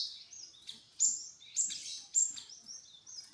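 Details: High, thin great tit (glatik wingko) notes used as a lure to make birds respond: sharp whistled chirps and short downslurred slides repeat about every half second against a soft hiss.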